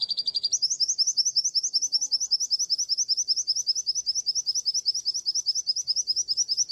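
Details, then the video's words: White-eye of the G12/G16 contest class, recorded as master song for training, singing a continuous fast high twittering trill of evenly repeated chirping notes, about two and a half per second. "Masteran Pleci Kusus G12 & G16 materi menonjol"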